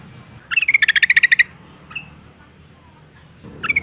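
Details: Female yellow-vented bulbul, calling to provoke males to sing, lets out one fast rattling run of about a dozen bubbly notes. A single short note follows, and a new burst begins at the end.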